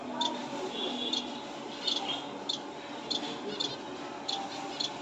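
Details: Repeated short, high finch chirps, some as doubled notes, come roughly every half second to second, over a steady background hum.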